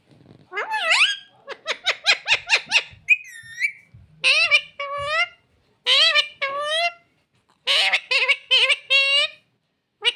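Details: Talking parrot kept as a pet, said to say "mummy papa"; long run of speech-like syllables, rising and falling harmonic notes in quick groups, a short whistled phrase near three seconds, brief pauses between bursts in a quiet room.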